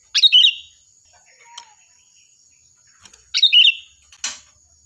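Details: Sooty-headed bulbul singing loudly and clearly for songbird training: a rich chattering phrase, a faint short whistle, then a second bubbly phrase followed by a harsh rasp, against a steady high hum.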